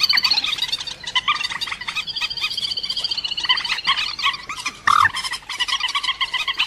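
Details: A rail gives a fast, harsh run of clattering, nasal notes, stacked and repeated in quick bursts without pause, with a brief louder squawk near the end; this recording is offered as a trapping lure.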